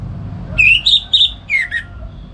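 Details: Orange-headed thrush in morning ngeplong gacor song at home, used as a tutor for songbirds: a short fluty phrase of four or five whistled notes, the last ones slurring downward.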